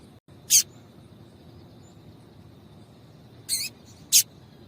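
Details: A female yellow-bellied seedeater calls to warm up the male, giving three thin, high, clipped notes: one alone, then two close together about three seconds later, over soft low background noise.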